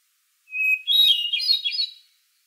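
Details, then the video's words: A hermit thrush gives one ethereal phrase: a steady opening whistle, then a tumbling series of airy, echoing notes that climb and waver for over a second before fading. "Hermit Thrush Song"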